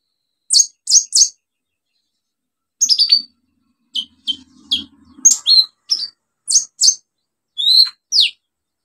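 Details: Actively singing olive-backed sunbird used as a lure to restart sunbirds that have stopped singing: clusters of very high, sharp chirps and downslurred notes in quick bursts, with a faint low rumble in the background.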